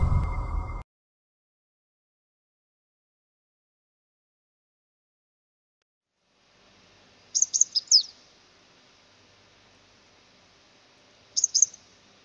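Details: Purple-rumped sunbird in Sri Lanka gives a quick cluster of high, thin chips, then a second short burst about four seconds later, after a brief rumbling noise and silence.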